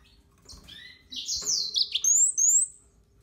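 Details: Short burst from a yellow-fronted canary: a harsh, rough high note sliding into clear, thin upslurred whistles.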